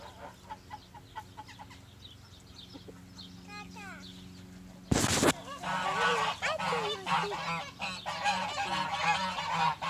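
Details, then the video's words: A spring farmyard where geese live with chickens: faint scattered calls at first, a sharp loud noise, then a sustained outburst of harsh, overlapping goose honking. "Goose Sounds"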